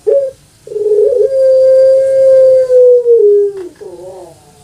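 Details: Puter pelung, a caged Javanese dove prized for its long voice: a short opening note, then a very long, even coo held around two and a half seconds before dropping, closing with wavering gurgles.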